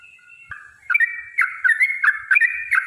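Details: Yellow-vented bulbul's long fighting song, meant to provoke rivals into singing; faint at first, then a quick chattering string of bubbly, warbled notes from the first second onward.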